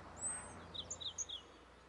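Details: A European robin of the nominate subspecies Erithacus rubecula rubecula sings at Moya, Gran Canaria, in February 2020: a brief run of thin, high, sharp notes in quick succession over a steady background hiss.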